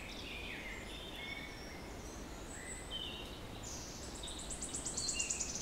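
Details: Wood Warbler song recorded 06-07-16: the most prominent song, a run of high, quickening ticking notes building in a distinctive crescendo toward a shivering trill, with other birds singing and steady background rushing.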